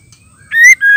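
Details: Calling female white-rumped shama, used to stir males into song: two pure whistled notes, a rising one followed by a slightly lower level whistle, after a quiet start.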